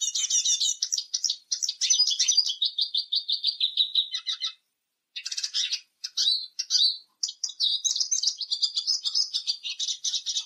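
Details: A Eurasian siskin sings a long, fast chattering trill that slows into repeated notes, pauses briefly, then returns with varied high twitters and slurred whistles.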